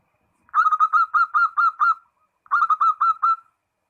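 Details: Zebra dove calling a rival: two loud bursts of rapid, ringing coo notes, about eight then five, separated by a half-second pause, in clean quiet surroundings.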